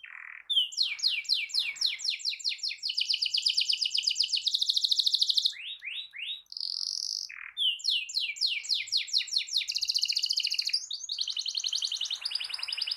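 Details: Long rolling canary song aimed at getting other canaries singing: repeated bursts of fast descending sweeps build into extended shrill buzzing trills, broken by short whistles, then the sequence starts again.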